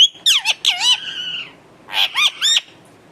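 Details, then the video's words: Pet talking parrot gives a few loud, grating squawks, one long drawn-out harsh note, then a short pause and three more rasping calls. "bolane wala tota"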